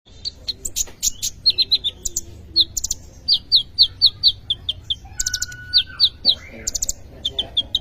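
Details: Kolibri ninja sunbird singing a full isian song: rapid, very high, thin chirps and short twitters repeated about four times a second, with occasional sharp clicks and a low steady hum underneath.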